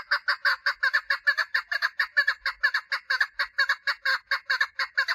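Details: Female chukar partridge mating call: an unbroken, fast series of coarse, chuckling notes, loud and fairly regular, around two per second.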